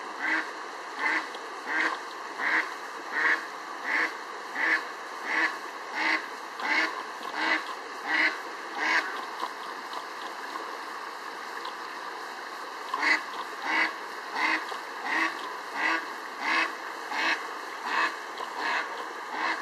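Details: A bird calls at scenic Shitoushan by a mountain stream in Hsinchu–Miaoli, Taiwan, giving steady, nasal, quacking calls, repeated a little faster than once per second.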